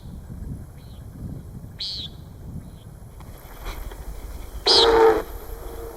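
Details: Common Nighthawk in Deschutes National Forest gives its short nasal, buzzy peent standard call, given throughout flight, then a loud half-second whooshing roar as the male's wings boom when pulling up from a display dive, a mating display.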